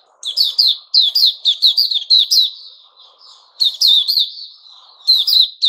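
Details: White-rumped shama song recorded 29 August 2021: a dense, rapid stream of harsh, buzzy high notes, about four per second, in two long bursts over a faint low background hum.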